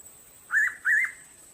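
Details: Hooded pitta recorded at Bogor: two short whistled notes, each with a slight wavering bend, given about a third of a second apart, over a faint steady high hiss.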